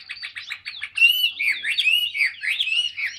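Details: Tamed Chinese hwamei in a cage, a large bird that sings a lot: a stutter of quick repeated notes leading into a fluid stream of looping, warbled whistles.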